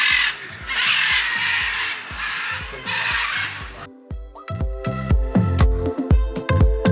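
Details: Large macaws in a bird park in Brazil near Iguazu Falls give loud, harsh, raspy squawks over about four seconds, with rhythmic background music running underneath and taking over at the end.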